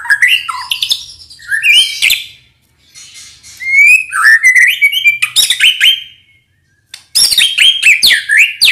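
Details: White-rumped shama song from Indonesia, played to train other songbirds: varied whistled and chattering phrases sliding up and down, with short bursts and a brief silence before a final busy run.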